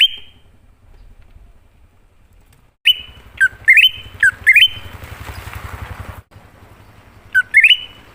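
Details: Wild greater green leafbird song played as a lure for other leafbirds: stepped, rising whistled phrases ending in a sustained note, given in a burst of four, then one more, over a steady engine hum from passing traffic.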